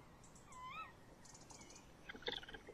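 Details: Tawny owl pair at a nest box, 30 May 2015, at night, with the male inside and the female outside: one bent, wavering tonal call, then a burst of clicks and scratching.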